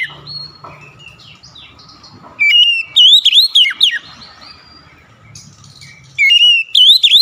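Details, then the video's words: Oriental magpie-robin singing an active song meant to prompt quick replies: soft, faint warbling, then two loud bursts of clear whistled notes that swoop up and down, each lasting about a second, separated by quiet. "DENGAN CEPAT NYAUT BALAS GACOR SEKALI MENDENGAR OCEHAN KACER INI"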